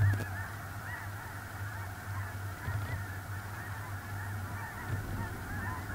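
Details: Early November 2021, small lake in central North Dakota: a big snow goose flock calls nonstop, many distinct rising-falling yelping honks piled over one another, with a brief knock at the start and low wind.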